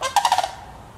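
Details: Sandhill cranes, a family group, calling in Petoskey, Michigan: a brief, throaty, trilling rattle of four or five quick pulses that fades after half a second, with light background noise.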